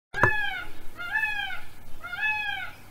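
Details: Peacock giving three drawn-out, arched wailing calls, each rising then falling with rich harmonics and lasting about half a second, spaced roughly a second apart in a quiet indoor-sounding space.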